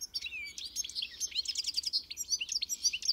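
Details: European goldfinch in full song, a short unbroken flurry of fast tinkling twitters and buzzy slurred notes lasting three seconds.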